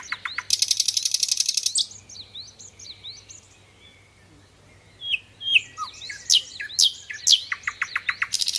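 A rich, varied song: a loud buzzing rattle, then scattered high chirps over a thin steady whistle, ending in rapid sharp clicks and sweeping notes.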